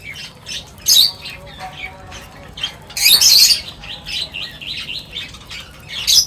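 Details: Several birds at feeding time chatter with high, thin chirps, broken by a few loud, harsh bursts near the start and the middle.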